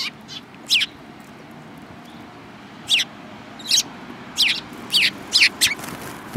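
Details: Eurasian tree sparrows, one with a yellow beak, 7 March 2018: loud, clear chirps, a single note first, then after a pause a lively series of paired and tripled chirps.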